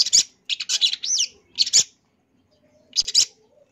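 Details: A champion long-tailed shrike's full-fill song meant for tutoring birds: dense scratchy bursts mixed with a looping whistled phrase, separated by short silences, one last burst after a longer pause.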